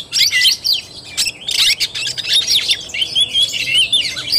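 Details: Oriental magpie-robin in tarung (fighting) style, 17 August 2021, pours out loud bursts of harsh chatter mixed with sharp whistled slurs, briefly dipping quieter between energetic phrases.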